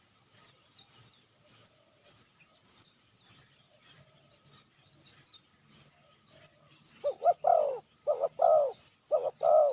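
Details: Calling spotted dove used to lure wild doves: for most of the stretch only quick, high, upslurred chirps of another bird repeat, then loud paired deep coos begin near the end.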